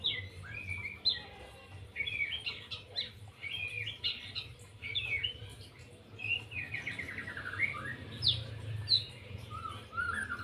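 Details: White-rumped shama singing a long 'lepas trotol' sequence: constantly changing whistles, quick rattled note series, swooping slurs and sharp high notes with brief pauses, against a low continuous hum.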